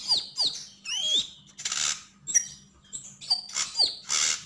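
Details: Sogok ontong, the Javan grey-throated white-eye, singing: a few sharp falling whistles, a rising slurred phrase and several raspy noisy bursts, high and loud, with a low hum beneath.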